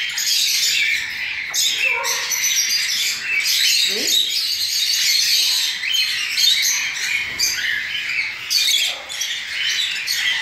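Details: Young cockatiels that recently left the nest begging during hand-feeding: a steady harsh, wheezy chorus of overlapping high chirps, with a person speaking briefly in the background.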